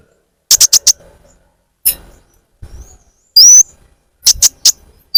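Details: Olive-backed sunbird calls used as a bird-attracting lure: scattered clusters of sharp, high ticking chirps with a single thin rising whistle in the middle and quiet gaps between.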